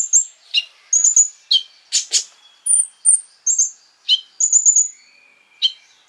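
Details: Sunbird song used as a lure to rile other sunbirds: scattered high chips and sharp clicks mixed with short, very high buzzy trills and thin whistled notes, irregular and busy.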